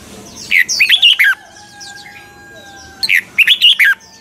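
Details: Red-whiskered bulbul, a caged lure bird for song training, singing in double-note style. Two matching phrases of several quick, slurred whistles rising and then dropping are separated by a pause of about two seconds.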